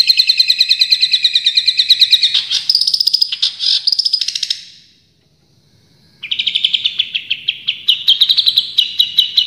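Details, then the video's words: Champion Long-tailed Shrike in full tembakan song: a rapid machine-gun string of evenly repeated notes, then a harsher jumbled burst, over a second of silence, and another fast rattling series of chirps. "Masteran Cendet Juara full tembakan"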